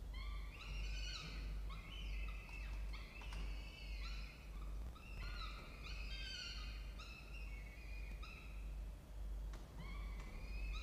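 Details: Peregrine falcon at a water-tower nest box in Orange, New South Wales, Australia, 07:21 on 16 October 2024, with chicks hatched 4–5 October, gives steady drawn-out harsh wailing notes every second or two over low wind rumble.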